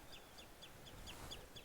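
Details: Common redshank (Tringa totanus) calling on Grimsey Island, Iceland, in summer nesting season: high, piping notes that slur downward, about four a second, over a low rumble of wind.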